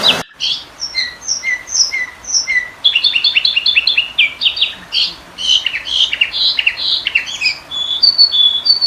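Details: Sooty-headed bulbul used as a training and lure recording: loud, varied whistled phrases of slurred notes, followed by a dense tumbling sequence of sharp chirps and high clear whistles. Background is quiet.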